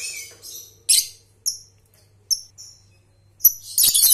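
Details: Lovebird ngekek trilling, used to stimulate young birds learning to sing. Scattered sharp, shrill chirps and short squeaks are followed by a burst of rapid harsh chatter at the end, with a steady low electrical hum underneath.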